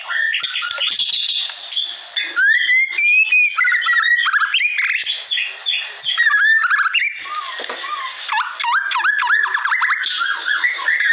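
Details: White-rumped shama, or murai batu, song from a masteran training recording: a long, varied run of loud whistled phrases, rising slurs and quick chirps, changing pattern every second or so, with some fast clicking notes in between.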